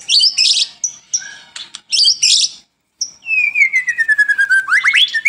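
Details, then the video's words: Song of a murai batu (White-rumped shama) kept for bird training, morning and evening: loud high whistled bursts broken by short pauses, then a long clear whistle sliding gradually downward into rapid sweeping notes. "PANCINGAN Murai Batu Gacor pagi dan sore hari"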